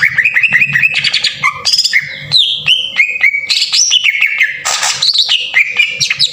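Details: Green leafbird lure in the harsh 'tembakan kasar' style to excite other leafbirds: continuous varied song of clear whistles sliding up and down, quick clicks between notes, and a brief noisy rasp.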